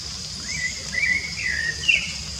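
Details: A free-living rufous-bellied thrush sings three or four linked, fluty whistled notes that rise and then glide downward, over a steady high-pitched insect hum.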